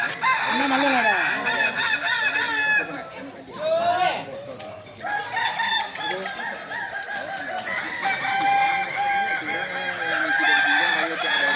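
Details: Crowing practice contest final of Kokok balenggek roosters at Sawahlunto, 16 July 2023: many birds crowing together in long multi-part phrases, brief lull midway, people's voices in the background.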